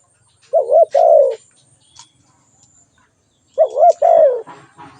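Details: Two cooing phrases from a spotted dove, each a quick wavering double note then a longer descending coo, with a few light clicks and a brief rustle after the second.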